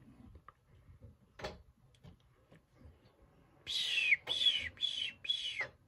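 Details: Baby hwamei being hand-fed, giving four loud, slurred whistled notes that drop in pitch, each about half a second long, after a stretch of faint clicks and rustling.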